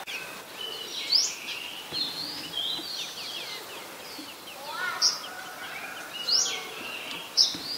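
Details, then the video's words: Olive-backed sunbird, common in mangrove forest, gives sharp, high, thin chips spaced a second or more apart, over soft twittering from other small birds. "นกกินปลีอกเหลือง (Sunbird)"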